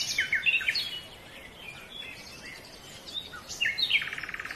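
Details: Silver-breasted broadbill, a small quiet bird of foothill and montane forest: a few high chirps and short sliding notes at the start, then a buzzy pulsed trill near the end, over steady forest background noise.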